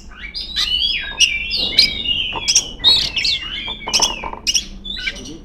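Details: Female Oriental magpie-robin in vigorous song calling rivals: rich whistled phrases interlaced with crisp clicks and chirps in a steady rapid flow.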